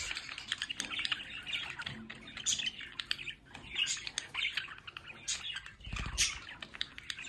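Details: Budgerigars at home near a window chatter in quick scratchy phrases and thin chirps, a steady flock murmur with one low bump around six seconds.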